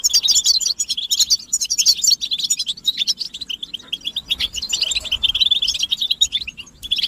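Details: Group twittering of European goldfinches, described as mating and readiness calls that push a silent male to sing: continuous bright, jingling chirps and fast trills, swelling and dipping without real breaks.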